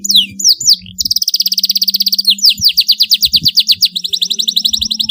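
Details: Canary chirping meant to stimulate young birds learning to sing: rapid buzzy trills and quick repeated high whistled notes, several per second, with short downward-sweeping chirps at the start and a steady low hum underneath.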